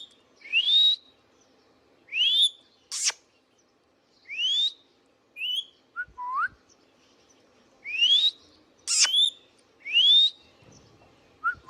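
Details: Indian ringneck parakeet kept as a pet, calling in a steady run of upward-sweeping whistles roughly every one to two seconds, broken by a few sharp clicks and short falling notes.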